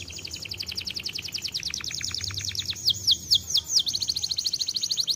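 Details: Canary heard a little farther off, delivering a steady fast rolled trill that shifts into swooping downward whistles, with a faint low background hum throughout.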